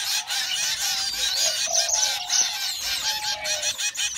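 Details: Zebra finch; begging calls; hungry chicks begging for food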